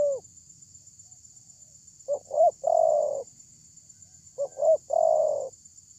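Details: Spotted dove with a big voice giving a lure call: two repeated coo phrases, each a quick double note followed by a long, mellow, drawn-out coo, about two seconds apart, with a constant high-pitched hiss behind.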